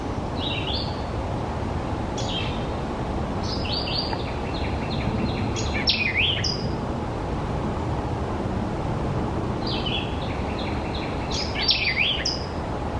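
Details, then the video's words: A White-eyed Vireo gives three quick, varied phrases of sharp chips, slurred whistles and a robotic, R2-D2-like warble, over a steady low rumble of wind or traffic. "White-eyed Vireo calls. Kind of sounds like R2-D2?"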